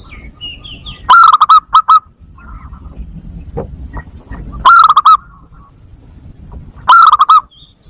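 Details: Zebra dove lure call meant to stimulate breeding: three loud bursts of quick stuttering notes spaced a few seconds apart, with softer scattered notes and faint background noise between them.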